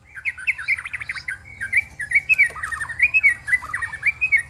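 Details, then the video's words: White-rumped shama, three birds sparring together and giving strange, loud sounds: a dense, fast warbled stream of chirping, twittering notes, with short trills and slurred whistles running almost without pause. "Murai Keluar Suara Aneh Ketika Di Trex 3"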